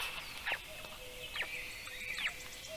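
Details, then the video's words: Black stork chick calling from inside its egg on a nest in Karula National Park, southern Estonia, at 5:49 am on 31 May 2023; short downward-sliding peeps repeat roughly every second over a steady low hum, with other birds faintly behind. "Storklet #1 is talking in it's egg"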